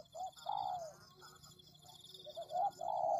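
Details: Spotted dove (tekukur) cooing for luring: a short hoot and a long falling coo, a pause, then two quick hoots and a long coo, with a persistent shrill insect-like tone behind.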